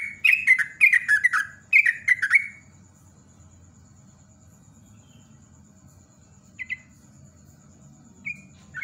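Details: Yellow-vented bulbul singing a fast chattering run of bubbly, falling whistles for about two and a half seconds, then quiet with two brief single notes later.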